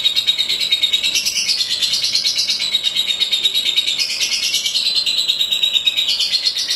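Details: Lovebird singing, a prize-winning style of chattering song: continuous rapid high trill of fast-repeated chirping notes, about three per second in pulses, pitch swaying up and down, with no pauses.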